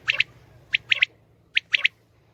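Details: Common quail, batair in the local name, giving its call: clipped, bright three-part phrases of sharp high notes, one quick single note then a fast pair, repeated about every 0.8 seconds over a quiet low hum.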